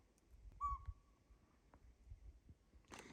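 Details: A Northern Pygmy-Owl calling unseen near a morning campsite in extreme Northern California gives a single clear, mellow toot, then a faint lingering whistle, over low rumble and a brief burst of rustling at the end.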